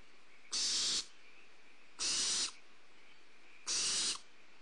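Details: Barn owl owlets at a Starr Ranch nest, filmed on 2 April 2011 during a prey drop to them, give three harsh, hissing screeches, each about half a second long and under two seconds apart, over a faint steady hiss.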